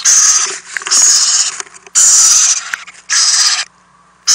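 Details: Owlets begging at night in a nest box while adults deliver food; loud raspy hissing screeches of roughly half a second to a second, four bursts in quick succession separated by brief quiet gaps.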